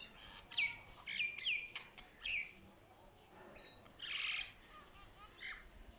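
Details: Myna calls: sharp whistled chirps in quick pairs, then a loud harsh rasping burst and a few softer notes, with light background noise.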